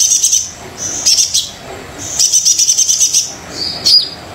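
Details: Brown-throated sunbird singing full-voiced, played to rouse reluctant singers: high sizzling trilled phrases, a longer rattling run in the middle, ending with a sharp falling chip.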